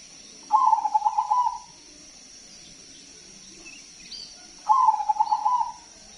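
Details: Zebra dove singing loudly to lure other doves: two long, low cooing phrases, each a quick rapid-fire burrowing coo of about a second, about four seconds apart, with a steady high electronic whine behind.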